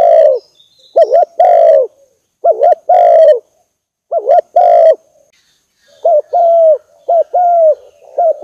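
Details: Spotted dove cooing on a decoy lure track: loud, hollow coo phrases, each a quick note and a longer wavering one, spaced by short silences, slightly softer toward the end.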